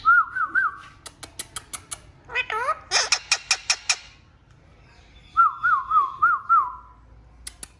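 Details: Talking Indian ringneck parakeets kept indoors make a wavering whistle, a burst of harmonic speech-like syllables amid rapid clicks, then a series of five bouncing whistled notes.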